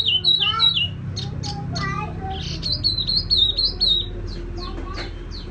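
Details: Tiểu mi songbird with a soft, resonant song: warbled whistled phrases opening the sequence, sharp high chips and a few lower notes, then a fluid run of rolling whistles and spaced chirps, with faint low hum beneath.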